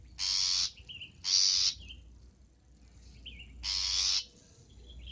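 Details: Long-tailed shrike call recorded as a lure sound for trapping: three harsh, rasping, noisy bursts, each about half a second, with faint soft whistled notes in the quieter gaps.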